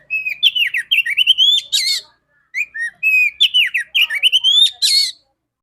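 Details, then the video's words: Female Oriental magpie-robin (kacer) with a loud, clear voice, sung to rouse males into song. Two rapid phrases of whistled notes and downward slurs, each ending in a harsh buzzy burst. "Terapi burung kacer betina super joss vocal ngeplong kacer jantan"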